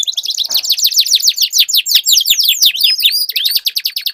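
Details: Canaries duel with sweet, long-rolled song: continuous fast trills of sweeping notes overlap one another, with bright looping whistles toward the end and a faint soft rustle early on.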